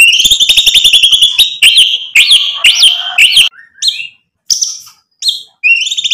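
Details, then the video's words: White-rumped shama singing nonstop, used as a lure to provoke other birds to answer, showing off its repertoire of learned material. Rapid, high, buzzy trills are repeated quickly, then broken into short upward-swept whistled phrases with brief pauses. "MURAI BATU GACOR bikin EMOSI ampuh buat PANCINGAN biar NYAUT BUNYI"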